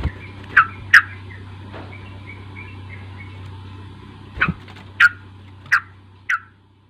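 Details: Chirping sooty-headed bulbul used as a singing lure for a young bird: an early pair of sharp notes, a quiet stretch, then four evenly spaced chirps over a low hum.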